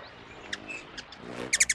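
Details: Ruby-throated Hummingbird chase call: quick, squeaky, mouse-like twittering chips, a few scattered and then a rapid burst of three. It is given in territorial chases, and males use it to warn intruding males.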